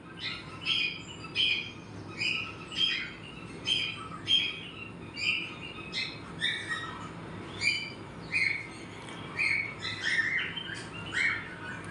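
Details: A pet cockatiel being scolded for naughty behaviour gives a steady run of bright, chirping calls, repeated roughly twice a second.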